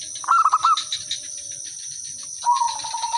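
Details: Zebra dove used as a lure to draw replies: a rolling stuttered coo phrase, then after a pause a softer drawn-out trilling coo, set against continuous high-pitched insect noise.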